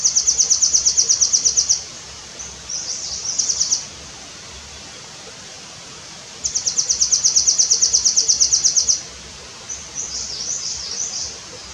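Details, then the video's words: In India, a nuthatch sings fast, even trills of high piping notes, each lasting about two seconds, followed by softer, quicker twittering phrases, over a quiet outdoor hiss. "Nuthatch singing"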